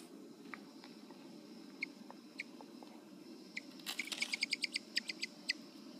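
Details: A female Mexican Speckled Bobwhite Quail in the Alabama Hills, Lone Pine, frightened by a stick, makes her alarm "evil noise": sharp, high chip notes, scattered at first, then a quick run of about a dozen ticks over a second and a half, with faint background hiss.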